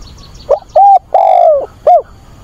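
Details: Spotted dove decoy, calling on a 24 August weekend to find a mate, sings loud and close: a short coo, a level coo, a long coo sliding downward at its end, then another short rising coo.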